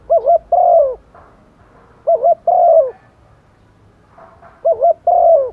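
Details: Rainy-season calling by a female spotted dove used as a decoy to lure males: three evenly spaced coo phrases, each a brief two-part note then a longer sliding-down hoot, with quiet gaps between.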